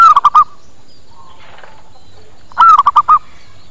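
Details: Local zebra dove lure call used to draw doves in and make them reply. Two bursts of four or five rapid, mellow, hooting coos, about two and a half seconds apart, over a low background hum.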